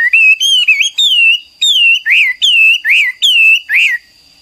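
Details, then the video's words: Wambi, or Chinese hwamei, a cagebird, singing loud, pure whistles: a series of about nine rising-and-falling phrases, each roughly half a second long, delivered in quick succession with brief gaps, over a thin steady high tone. "MASTERAN HWAMEI WAMBI HOA MI GACOR DAN NGOTOT"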